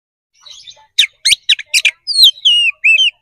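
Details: Oriental magpie-robin in lively, relentless fighting song, used as bait to stir another bird into answering: soft twitters, then a rapid run of harsh, buzzy bursts, then clear high whistles that slide downward, all quick and high-pitched with no other sounds.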